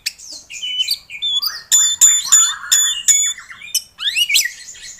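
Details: White-rumped shama singing to stir a caged bird into song: high thin whistles, then rising slurred notes and a series of sharp metallic chips repeated about three times a second.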